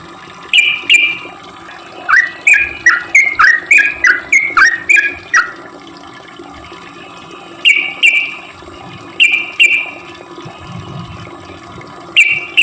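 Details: Sooty-headed bulbul song intended to lure other bulbuls: paired chirps, then a busy run of dipping-rising notes, followed by spaced pairs of bright notes every couple of seconds, over a steady low hum.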